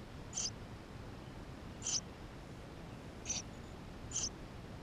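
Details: Begging Eurasian tree sparrow chicks inside the nest, recorded by GoPro in May 2016: four brief, sharp, high squeaks at uneven intervals of roughly one to one and a half seconds, with soft background hiss.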